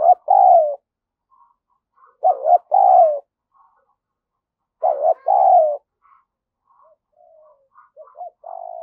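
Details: Spotted dove used for luring, giving repeated loud two-part coos roughly every two and a half seconds, each a rising bent note then a longer falling coo, with faint soft notes between, no other sounds.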